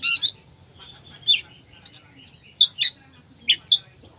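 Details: Oriental magpie-robin singing a full song used as a lure to stir a slow bird into singing: loud, sharp, high chirped notes given singly or in pairs, with brief pauses between them, over a quiet low hum.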